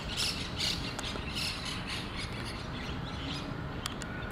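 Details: Communal-nest colony of monk parakeets in Pasir Ris Park giving several quick grating squawks in the first half, then sparse clicks and faint calls, with constant low rumbling ambient noise.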